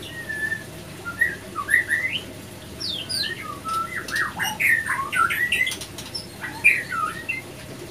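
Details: Male and female white-rumped shama attacking each other after failed matchmaking; rising whistled notes and harsh squawks, scattered then clustering mid-clip, with clicks and flapping.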